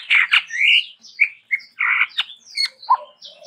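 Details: Chestnut-rumped babbler, said to be endemic to Sumatra, in lively varied song: a dense run of harsh, buzzy and whistled notes with sharp, high ticks and upward slurs, almost without pause.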